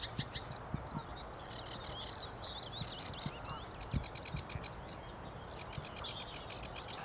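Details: Single sedge warbler singing in an area with few reeds, near a motorway. It gives a fast, scratchy, chattering stream of varied notes with rapid repeated trills and the odd thin whistle over low wind rumble.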